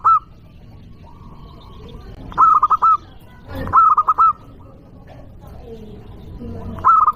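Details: Loud local zebra dove call used as a lure to anger rival doves: clipped, bubbling phrases of quick coo notes repeated every couple of seconds, with faint low noise between them.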